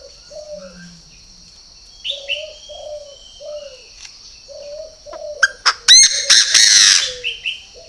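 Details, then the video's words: A purebred Chinese francolin gives a loud, grating run of rapid staccato notes that swell into a harsh, noisy burst near the end. Soft repeated dove coos and a brief high chirp sound earlier. "CHIM ĐA ĐA THUẦN CHỦNG GÁY"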